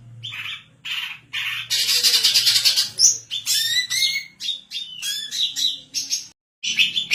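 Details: Lively female greater green leafbird, kept to train other birds and as a lure, alternating short chirps, a dense high trill, and clear downslurred whistles in quick varied phrases, with one brief silence near the end.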